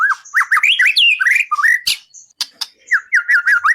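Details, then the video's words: White-rumped shama singing for songbird contest training, a fast series of rich warbled whistles rising and falling, broken by sharp clicks and a short pause, then more rolling whistled phrases. "Masteran burung murai bikin juara 1"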